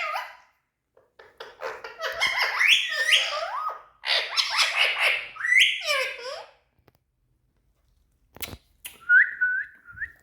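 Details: Pet green ringneck parakeet, tame and talking, chattering in two long bouts of squeaky, downward-bending notes, then a quiet gap, a couple of clicks and a short series of thin whistled notes.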